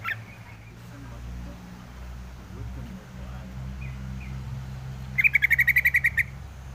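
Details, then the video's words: Low steady hum with faint short notes, then a yellow-vented bulbul bursts into a quick rattle of roughly ten clipped, even notes near the end. "suara crucukan ngalas"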